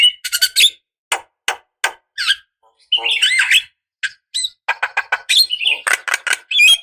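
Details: Javan myna, female calling a male as a decoy to provoke answering birds: clicking bursts, harsh squawks and scratchy whistles in irregular, chattering phrases.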